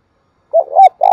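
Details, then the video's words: Spotted dove calling, brief low coos: a wavering hollow note rising into a louder sustained coo, then another coo beginning abruptly as the clip ends. "tiếng cu gáy thúc bổi & Gáy gọi mới nhất"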